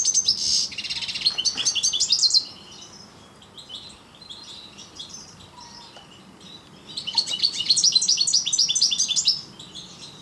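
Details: Parva goldfinch song; a loud burst of fast, high twittering and buzzy trills, a lull with faint distant notes, then another long jingling run of rapid chirps.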